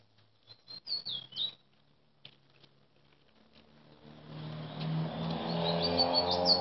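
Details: Chestnut-bellied seed finch, locally called bullfinch, singing in Chaguanas, Trinidad, in 2017: a quick run of clear, high whistled notes with downward slurs, then a pause before a rising, droning hum with low steady tones over fainter high chirps.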